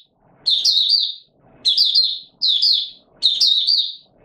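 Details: White-eye buka sing on 20 March 2022 in warm humid conditions: four separate bursts of high, bright, warbling chirps, with soft background shuffling in the pauses.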